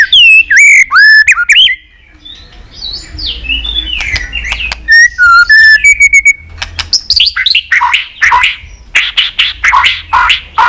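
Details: Varied song of a white-rumped shama meant to trigger fighting song in other birds: looping whistles, a rising and falling warble, then a flurry of sharp clicks and bright, rapidly alternating phrases.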